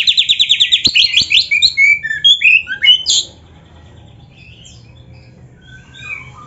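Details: Oriental magpie-robin tutor song meant to provoke other magpie-robins: a quick run of repeated rising notes and twisting whistles for three seconds, then near quiet with a few faint distant whistles.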